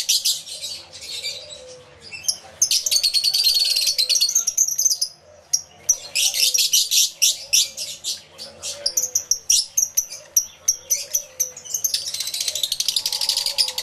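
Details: Numerous lovebirds kept in an aviary, recorded via two external microphones on a camera: long stretches of loud, shrill, rapid chatter broken by brief lulls, with sharp clicking chirps throughout.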